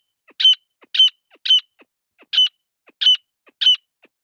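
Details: Female grey francolin calling; sharp, rasping high-pitched notes repeated in a steady series about every half second, each main note preceded by a faint soft click, with no other sounds.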